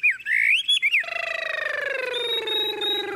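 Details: Tame caged Chinese hwamei singing in a hand-carried cage. A few quick rising and falling whistles lead into a long, harsh, nasal buzzing note that slowly drops in pitch and lasts about two seconds.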